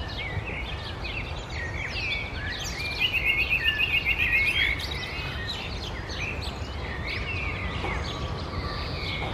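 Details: Common nightingale singing in summer: a fast run of repeated sharp notes over about two seconds, set against a busy background of other birds chirping and a steady outdoor hiss.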